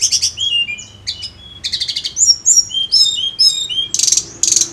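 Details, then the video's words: Vigorous Sunda robin song used as a lure: buzzy notes mixed with clear falling whistles, about two phrases a second, ending in two loud harsh rasps. "PANCINGAN TLEDEKAN GUNUNG FULL GACOR"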